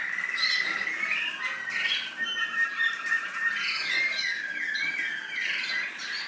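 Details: An American singer canary in the UAE sings a rich, unbroken song mixing rising and falling whistled phrases with quick rattling trills, with swells of loudness every second or so.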